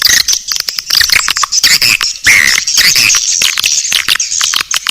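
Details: Naga Birahi lure sound for attracting swiftlets: busy, high, chattering twitter of several birds with clicks and a short clearer squeaky note just past the middle, steady throughout.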